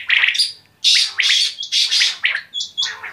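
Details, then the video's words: Quail giving a run of sharp, high chirping notes, some with thin steady whistled tones on top, in bursts separated by short pauses; no other sounds stand out. "Batair ki Awaz 💥| Quail Sounds Original👌 | بٹیر کی آواز"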